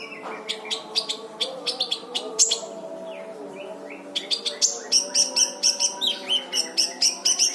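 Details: Brown-throated sunbird song for training other birds: long runs of rapid, sharp high chips about twice a second, broken by brief whistled slurs, then a fast insistent series of piercing notes, over a low hum.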